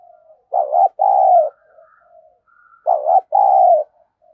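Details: Decoy spotted dove cooing to goad rivals: two loud phrases, each a short dipping coo and a longer steady coo, with soft quiet coos and a thin higher note between them.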